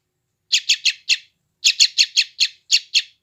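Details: Chick of the sooty-headed bulbul, West Java, captured with an Android phone for taming new wild birds: four scratchy high chirps, a pause, then a longer run of seven evenly spaced chirps.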